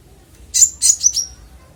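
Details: Konin, clear-voiced, sings as master material for songbird training: four rapid sharp high notes, the last ones sliding into a thin fading whistle.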